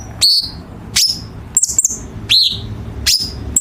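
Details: Chinese bulbul training song with harsh-note fill for competition birds: sharp, high downslurred chirps repeat about every 0.7 seconds, with a quick stutter between them.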